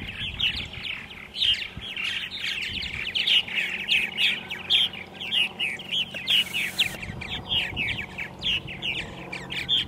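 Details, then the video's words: A chorus of purple martins at 8:30 AM, 14 April 2012, Center Moriches, Long Island, New York: continuous gurgling, rattly chirps from many birds packed tightly together, with a brief hiss midway and low hum. "Purple Martins on April 14, 2012 in Center Moriches, Long Island"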